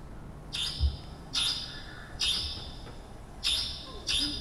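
Long-tailed Shrike giving five harsh, rasping, high notes, each about a third of a second, spaced roughly a second apart, over a low background hum.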